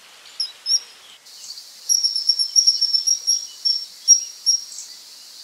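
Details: Common kingfisher (Alcedo atthis), a female passing by followed by a male, giving a rapid series of thin, sharp, high whistled calls, irregularly repeated about two to three per second after a short quieter opening.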